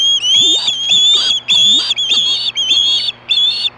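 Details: An osprey screaming for fish at Hellgate, 2014, 4:19 PM, utters six loud shrill whistled calls, some doubled, while low rising swoops sound faintly beneath, over a steady hum.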